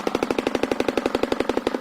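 A shoebill's bill clatter: fast, even, hollow knocks, about fourteen a second, like a machine gun. Nothing else is heard.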